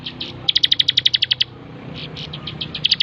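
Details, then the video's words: Bar-winged prinia, locally ciblek, master song for tutoring birds: a fast run of clipped high notes, a brief lull, then another trill starting, with faint background hum. "masteran 100% terbaik burung ciblek gacor"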